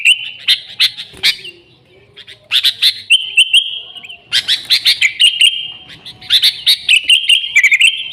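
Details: Sooty-headed bulbul in full song, an original lure recording without added songs of other birds: clipped chirps and ringing notes in rapid runs, broken by a short pause, then a longer steady whistled passage.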